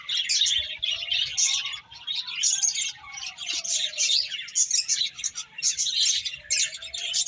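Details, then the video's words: A group of finches at food gives constant bright, high chirps in overlapping bursts, with a faint lower drawn-out whistle running beneath at times. "Cute Finches Chirping Sounds | Beautiful Birds Eating"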